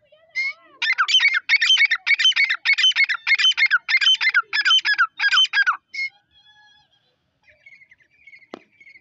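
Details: Dakni Irani grey francolin from a newly acquired breeding pair, female call: a loud fast run of harsh, repeated ringing notes for about five seconds, then a faint whistle and a sharp click.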